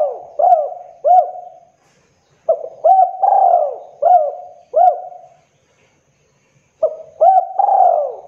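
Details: Spotted dove, Javanese type, a contest-winning singer, cooing in low, soft, rolled phrases of several notes, each phrase a quick upward lilt then a drawn-out falling coo, repeated with short pauses.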